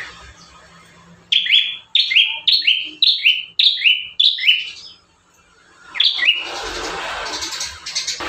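Bar-winged prinia singing a run of about eight sharp, high, slurred chirps, roughly two per second, followed by a brief burst of rustling noise.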